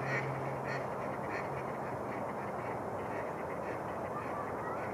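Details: Mallards gathering on Rush Lake in New Brighton, Minnesota, as spring thaw opens water near shore; a quick series of harsh quacks opens, then fades into steady background rush with a faint low hum.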